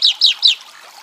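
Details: Chalk-browed mockingbird song from Brazil, three quick loud descending chirps about a fifth of a second apart, then quiet.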